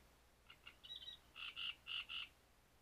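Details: Great reed warbler singing in breeding season at Grachevka: harsh, grating croaky notes doubled in pairs, with a brief squeaky whistled phrase between them, all loud against a quiet background.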